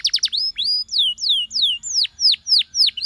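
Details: Canary song used to get companions singing: a quick triple of high notes, then slow, clear whistled notes that sweep sharply downward, about three a second, in a regular pattern.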